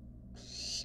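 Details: Wild barn owl at a monitored nest box, giving a single harsh, noisy hissing screech lasting about half a second, rising slightly in loudness before cutting off, over a constant low electrical hum.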